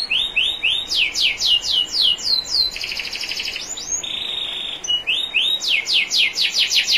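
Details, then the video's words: Canary training song from a national champion bird over clear trickling water: arched whistles, fast descending sweeps, a buzzy rolling trill, a steady held whistle, then more rapid sweeps. "MASTERAN KENARI JUARA NASIONAL NEW 2021 ISIAN SUPER MEWAH"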